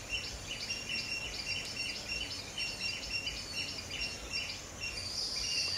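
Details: An Asian brown flycatcher foraging while perched on a tree branch gives thin, high chirps in quick, uneven series over a steady hiss of insects and background noise.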